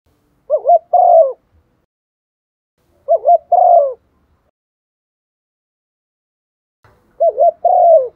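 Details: Decoy spotted dove used to make other doves call, giving three deep paired coos, a quick quavering note then a longer descending one, spaced about three seconds apart in otherwise silent surroundings.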